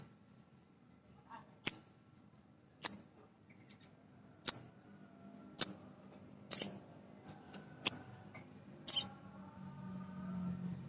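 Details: Male brown-throated sunbird (sogon), a captive nectar-feeding bird kept to stir other sogon into singing: sharp, high, very short chips repeated about once a second, with faint low background hum.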